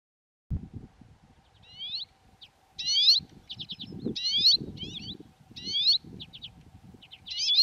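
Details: Water pipit recorded in the Hrubý Jeseník mountains, Czech Republic: high, varied phrases of buzzy rising notes and quick trilled chips at intervals, over low rumbling background noise and a faint steady hum.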